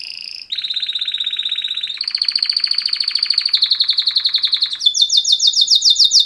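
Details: Male canary pair in mating-call song: a steady whistled note, then a long rolling trill that steps upward in pitch, ending in rapid repeated sweeping chirps.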